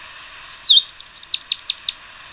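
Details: Tricolored brushfinch (Atlapetes tricolor) opening with a rising-then-falling whistled phrase, followed by a steady run of about eight short, sharp descending notes at an even pace over a faint hiss.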